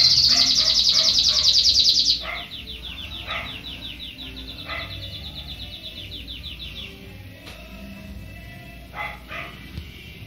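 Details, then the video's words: Young Belgian canary singing loudly: a dense, rapid high trill for two seconds, then quieter repeated descending chirps and slurred notes at a fast steady pace, fading into scattered soft notes with faint background hum. "canario belga novo cantando bonito"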